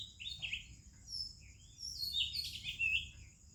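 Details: Morning song of an Oriental magpie-robin from India, with other birds around: short whistled notes, then a denser burst of rich, varied warbling phrases over a constant thin high-pitched buzz.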